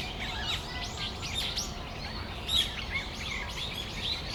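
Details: Brown-eared bulbuls calling on a December afternoon in Tamagawadai Park: many overlapping short, sharp chirps and rising squeaky notes, a busy chattering flock over a steady low background rumble.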